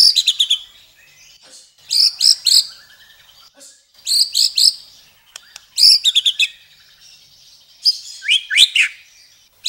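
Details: Murai, or white-rumped shama, giving a masteran tutor song with varied fill: bursts of bright, high chirping notes repeated in clusters about every two seconds, with short quiet gaps between phrases.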